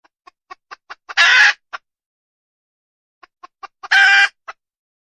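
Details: Wild junglefowl hen: a handful of soft clucks quickening into one loud, rough squawk and a final cluck, then a pause and the same sequence again.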